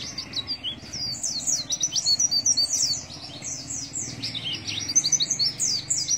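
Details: Oriental white-eye delivering 'nembak isian' song: a continuous, rapid, high-pitched twittering with quick chattering phrases and barely any pauses. A soft low background hum runs underneath.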